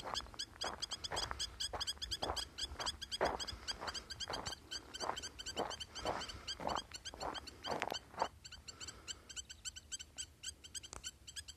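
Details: Spur-winged lapwing repeating piercing, metallic notes in a sustained run of about two per second. Loud broadband knocking and scuffling sounds are mixed in during the first eight seconds.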